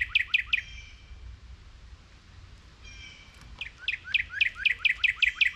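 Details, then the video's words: Northern cardinals chirping near a feeder while a squirrel eats seeds at breakfast time: clear, downslurred whistles, three quick notes then about ten more, with faint thin tones of other birds and a low rumble. "Cardinal Bird Sounds"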